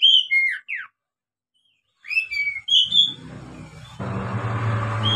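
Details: Song of an Oriental magpie-robin for training novice birds: short whistled phrases and a dropping slur, then more whistles as a loud low hum and rumbling background noise swell and continue to the end.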